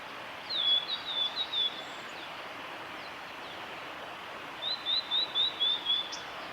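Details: Blue-and-white flycatcher male in spring song at Lake Miyagase, Japan, 25 April 2016: two high whistled phrases about four seconds apart, each a quick series of short downslurred notes, over a steady hiss of background noise.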